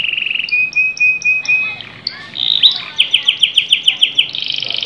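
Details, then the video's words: Canary singing a steady trill, then a series of evenly spaced pure whistled notes, followed by a quick run of bright repeated chips and a buzzy final roll. "KENARI CANTIK LAGU ASYIK"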